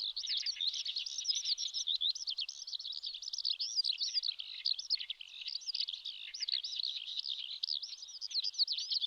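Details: In May, a wild Eurasian skylark sings over a riverbed in Japan's Shin'etsu region, a ceaseless, rich torrent of high, looping, whistled and warbled notes delivered at great speed, with no other sounds intruding.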